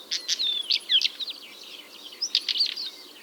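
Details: A northern wheatear in the breeding season, recorded 10–12 June 2023 in Pronsky district, Ryazan region, Russia, near a quarry, sings a fast, scratchy warble of high chirps, short whistles and buzzy notes in quick bursts with brief pauses.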